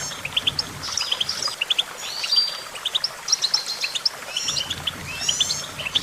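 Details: Goldfinch singing a lively, high-pitched twitter of short clipped notes in rapid clusters, broken by a brief buzzy twang near the middle, with light background hiss and low hum.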